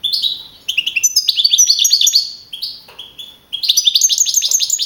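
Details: Young wild-type goldfinch that placed first in a 15 April 2012 song contest in Navalcarnero, Madrid region, pours out dense, rapid twittering, with liquid upslurred chirps strung together almost continuously and one brief pause near the middle.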